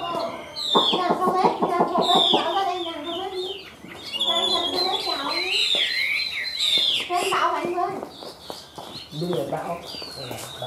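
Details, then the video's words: Caged Chinese hwamei singing in an ornamented warbling style while nodding: a rich, varied run of slurred whistles near the top, broken by dense lower chattering and clucking-like notes, with brief pauses between phrases. "Họa Mi Cao Cầu Bóng Bộ Đẹp Hót Tốt, Gật Gù Luyến Láy Chơi Rất Hay"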